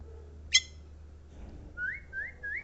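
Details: ['Javan myna song: one harsh, rasping note, a pause, then three short upslurred whistles in quick succession over a low background hum.']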